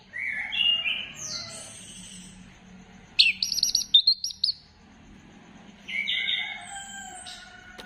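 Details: Orange-headed thrush singing, a lure to encourage singing, 15 December 2025: sweet whistled phrases, then a sudden run of shrill, high buzzy notes, a pause, and more slurred whistles.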